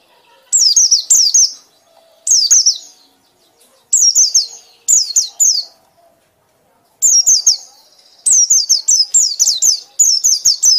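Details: White-eye delivering loud ngekek song: repeated groups of high, falling whistled notes, starting as spaced pairs, then speeding into a dense run of rapid notes near the end.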